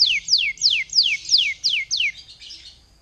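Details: Lure song of a canary for prompting other canaries to sing: seven loud descending whistled sweeps repeated at an even pace about every quarter second, fading into a soft buzzy warble.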